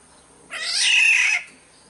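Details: Black-naped oriole of Sumbawa, played as a lure: one drawn-out, hoarse, meowing squawk close to a second long, broad and grating, against a quiet backdrop.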